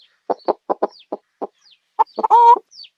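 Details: Chicken giving a steady run of short low clucks, then a couple of sharper notes leading into a loud, drawn-out harmonic squawk, with faint thin chirps in the background.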